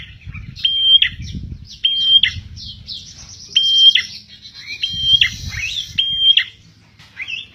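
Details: Energetic prenjak tilek (prinia) song for luring birds. Flat high whistled notes, each ending in a falling flick, come in bursts over scattered twittering, with a steady low hum and thumping background noise.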